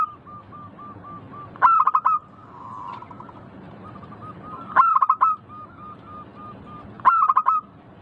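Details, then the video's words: Crystal-clear song of a local zebra dove. Loud bursts of fast stuttering coos come roughly every three seconds, separated by a steady string of soft, evenly spaced notes and a brief buzzy coo. "Suara burung perkutut lokal Merdu kristal Jernih"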